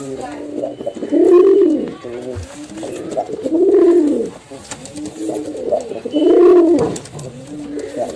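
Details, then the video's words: Pigeon pair, male and female, giving loud throaty coos in three swelling bursts a little over two seconds apart, softer murmuring between them, indoors. "Male & Female Pigeon Combo Attacks Sound"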